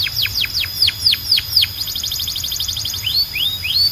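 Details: Singing Belgian canary calling other canaries to sing: bright falling whistled sweeps repeated about four per second, a quick buzzy trill of high repeated notes, then rising slurred whistles.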